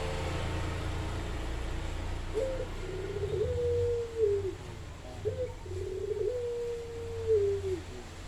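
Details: Spotted dove cooing, a short rising note followed by a long level coo that slides down at the end, given twice in the stretch, with faint background hum.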